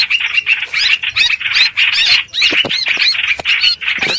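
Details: Harsh, chirring chatter of the streak-eared bulbul, used to lure birds into traps, broken by sharp rising squeaks and arriving in grouped bursts with brief pauses.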